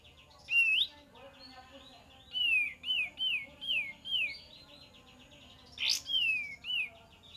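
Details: Kapas tembak lure song: a steady string of about six looping whistled notes, each dipping and rising, then a sharp click and two more notes, over low hiss.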